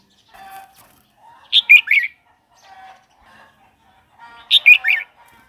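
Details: Red-whiskered bulbul singing, a recording made to rouse new or wild-caught birds and teach young ones: two quick, loud, slurred three-note phrases about three seconds apart, with soft chatter before each.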